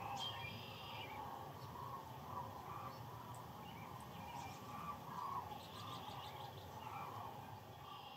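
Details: Massed sandhill cranes on the Platte River at the height of northern migration, heard overnight: a continuous rolling murmur of many calling birds, with scattered higher chirps and sharp ticks above the steady din.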